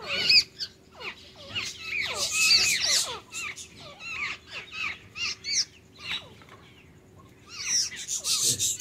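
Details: A male bulbul courtship-feeding a female, putting food in her mouth, with quick, twittering calls: short chirps sweeping up and down in rapid bursts, pausing briefly midway, over a faint steady hum.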